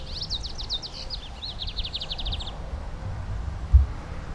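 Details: A wild Lined Seedeater in Brazil sings a high phrase of swept notes that runs into a fast, rattling trill of repeated notes, over low rumbling background noise and a single soft thump.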